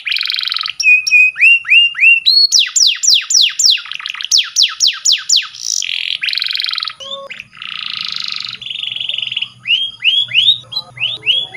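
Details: Canary training song full of variety: buzzy trills, low whistled upslurs, a rapid series of loud falling notes, harsh rasping bursts and steady whistles, continuous and loud.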